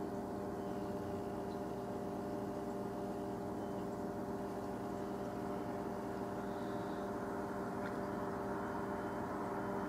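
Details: A steady mechanical drone like an engine or motor runs throughout, with constant humming tones in the low and middle range and no animal voice.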